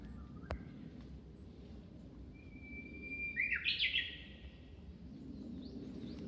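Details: Japanese bush warbler in song at Zuisen-ji temple, Kamakura, Japan: a sustained level whistle leads into a loud rapid trilled flourish, with faint thin notes from other birds afterward and a soft rumbling background.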